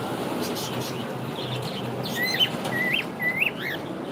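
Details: Pet cockatiel, described as saying good morning, gives a short run of bright whistled chirps in the second half, each sharply rising or looping, four or five notes in quick succession over a steady low background hum.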